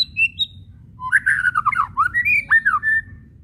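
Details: White-rumped shama whistles and chattering used to provoke shamas to sing; a couple of thin high whistles lead into a dense run of swooping, chattered notes.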